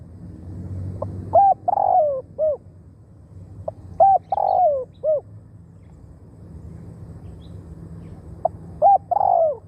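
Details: Three repeated phrases from a Spotted dove serving as a decoy to attract wild doves, each built from two short coos, a long falling coo and a closing coo, spaced roughly three seconds apart, with low rumbling behind.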